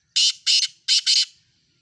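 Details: Black francolin, a Sindhi francolin in a mixed call recording: four loud, harsh, grating notes in two close pairs, each pair a rasping double burst, over near silence.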